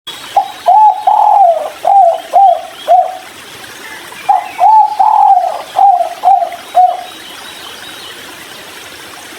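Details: Spotted dove (tekukur) giving its 'kuk 3' style call while drinking near a river. Two mellow, mid-pitched cooing phrases, each a short note, a long wavering drawn-out coo, then three clipped coos, over a soft background hiss.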